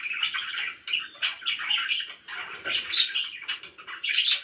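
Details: Happy pet budgies chirp and chatter. Bursts of warbled twitter rise and fall, separated by short dips, with a few sharper high squeaks near the end.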